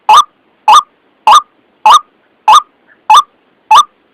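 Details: Harsh, hoarse white-breasted waterhen notes for luring birds into a trap, seven strident bursts spaced evenly about 0.6 seconds apart, clean silence between.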